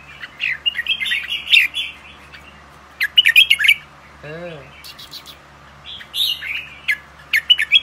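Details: Kept for pairing and breeding, young albino red-whiskered bulbuls trade scattered bright chirps and short tumbling phrases; one low, nasal call breaks in midway through a quiet indoor setting.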